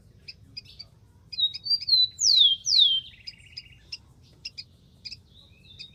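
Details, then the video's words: Rufous-collared sparrow in the wild delivers clear sliding whistles, two strong falling slurs, then a short level trill, with soft high chip notes scattered throughout and faint low rumble underneath. "BURUNG KICAU"SPARROW RUFOUS"(KICAU MANIA)Full Gacor di alam liar."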